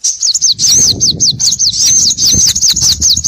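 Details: Small birds on a lure for trapping: a fast, steady string of thin, high, downward-slurred whistled notes, about two or three per second, over a low background murmur.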